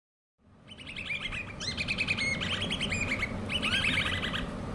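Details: Hand-reared common babbler chicks give rapid, overlapping chirps, each a quick falling squeak, several voices calling together over a low rumbling background.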